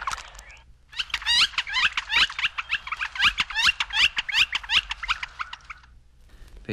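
Northern Flicker giving a long, quick run of loud, ringing notes, several per second, holding steady in pitch for about five seconds before stopping.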